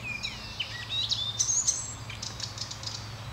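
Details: In Norway, an Icterine warbler sings a fast, varied run of high whistles, sliding notes and scratchy chirps, with a low steady hum underneath.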